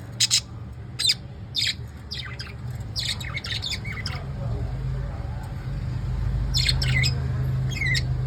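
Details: In the evening, pet lovebirds give scattered sharp, harsh squawks, spaced irregularly, some ending in a brief downward slur, while a low rumble swells toward the end.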